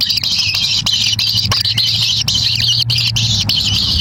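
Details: A parent kingfisher brings a black lizard to hungry chicks, which fight over it in the nest. A steady, high, raspy hiss of begging continues throughout over a low droning hum.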